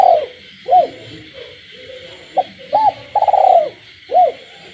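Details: Caged spotted dove cooing in the night amid frog calls in the countryside: mellow arched coos, one quick clipped note, then a rolling stuttered phrase and a final rounded coo, over a constant high background hum.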